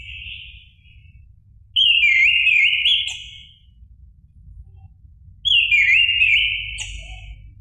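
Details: Orange-headed thrush song used to provoke a caged bird into singing: two loud phrases of rich, wavering whistles about four seconds apart, each ending in sharp high notes, with quiet hum between.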